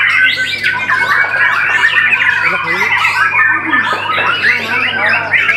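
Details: Continuous white-rumped shama song: dense, fast medley of rising and falling whistles, chattering notes and squeaky phrases, loud throughout, accompanied by a constant low hum.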